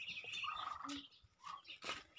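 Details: Pet crested myna being tamed during November rainfall, giving a quick jumble of harsh, raspy bursts mixed with short squeaky whistled notes at mid to high pitch, with brief pauses between phrases.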